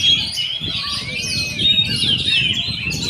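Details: Brief burst of oriental magpie-robin song, rapid twittering and thin whistled slides packed tightly, over a steady low rumbling background.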